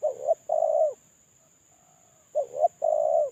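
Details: Lure spotted dove in moult, calling solo, delivers two paired coo phrases, each a quick rising-falling double note and a longer level coo. Soft quiet coos fill the gap between them, over a thin constant high tone.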